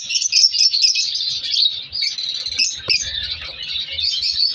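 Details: Many caged color African lovebirds in a breeding colony give a steady wash of shrill chirps and twittering, with a brief sharp click near the middle.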